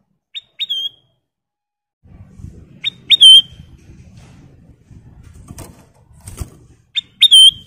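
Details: Ruby-throated bulbul (kutilang emas) song used as a master recording for training cage birds: short bright whistled phrases with a falling tail, given in three bursts about two seconds apart, over soft fluttering and rustling.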